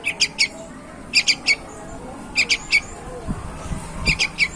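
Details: Sooty-headed bulbul, a superior young bird: four bursts of three crisp high notes, spaced about a second apart, with a few low thumps late in the recording.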